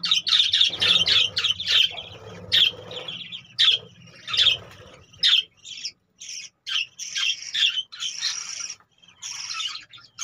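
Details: Caged budgerigars give a rapid series of loud, sharp, squeaky chirps, then looser high warbled notes and squawks with short gaps between.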